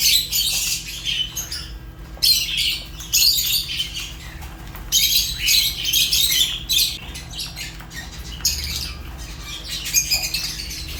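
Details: Fischer's lovebird chirping in loud, grating, high-pitched bursts, one to two seconds each, separated by brief lulls, with a faint steady hum throughout.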